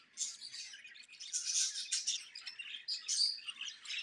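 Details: Breeding budgerigars at chick-hatching time give a steady stream of high, scratchy chirps and warbles with brief whistled notes.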